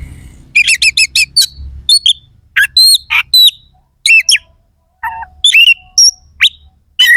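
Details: Oriental magpie-robin (kacer) in vigorous song with coarse, sharp phrases meant to rouse rival birds before competition: quick trills of repeated notes, clear whistled slurs and harsh bursts separated by brief silences, faint low rumble beneath.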